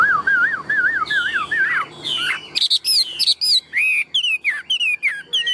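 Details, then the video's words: Tame, large-bodied Chinese hwamei in a cage, a strong singer. Sings rolling wavy whistles in a rapid series, then shifts to higher, sharper slurred notes broken by brief gaps. "Chim họa mi thuần - Bộ To - Hót hét rất tốt"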